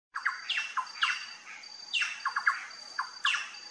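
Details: Plush-crested jay (gralha-picaça) on a trail, giving loud repeated phrases of clear downward-slurred notes and squawky bursts, a phrase roughly every 0.7 seconds, with a steady high insect drone behind.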